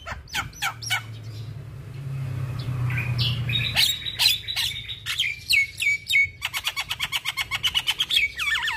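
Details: Captive Javan myna singing, played as therapy for stressed mynas that have stopped singing, meant for morning and evening. Varied whistled and squeaky notes rise and fall, then a fast run of sharp repeated clicks and a slurred falling whistle.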